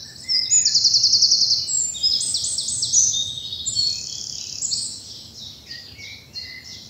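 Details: Birdsong at dawn in spring bluebell woods, south of England: a loud buzzy rapid trill followed by high, tumbling twittered phrases from several birds.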